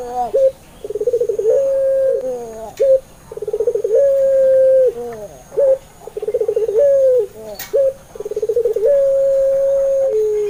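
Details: Puter dove of the pelung style, played to make other doves sing: four repeated phrases of quick pulsing notes flowing into a long sustained coo, each followed by brief downward-curving notes.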